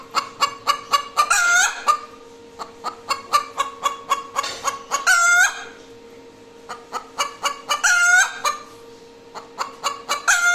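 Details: Hen calling after laying an egg: rapid clucks about four per second, broken by three loud, drawn-out squawking cries near two, five and eight seconds, over a steady background hum.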